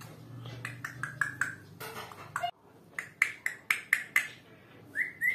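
An African grey parrot gives a quick run of sharp clicking whistle notes, then a rising whistle near the end, indoors with faint room noise.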